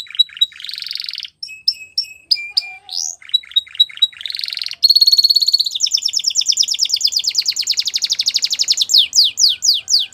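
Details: Canary training song: varied phrases of sharp descending whistles and fast buzzy trills near the top register, ending in a long rapid rolling trill and a series of quick downward sweeps.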